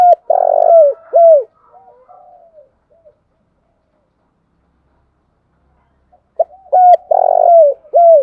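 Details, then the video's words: Spotted dove lure call for trapping, two full cooing phrases separated by a long silence, each a buzzy long coo and hooked coos with faint soft notes trailing. "tiếng cu gáy mồi chuẩn Gáy Gọi dùng kích bổi hiệu quả"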